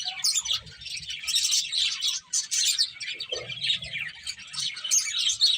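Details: Finches feeding and chirping together, a busy flock chatter of quick high tweets and short rising chips, overlapping without pause, with soft low thumps from movement.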